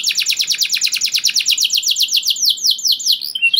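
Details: Caged canary singing long rolls meant to provoke other canaries into song: a rapid train of repeated downward-sweeping notes, high and bright, slowing into broader separate swoops near the end.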